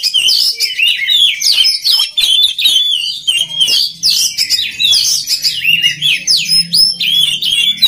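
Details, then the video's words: Continuous rich song of an oriental magpie-robin, played to build up other magpie-robins' singing: rapid twisting whistles and chirps tumbling one after another, with a faint low hum beneath. "SUARA KACER PALING DI CARI UNTUK MELATIH MENTAL KACER LAIN AGAR CEPAT GACOR"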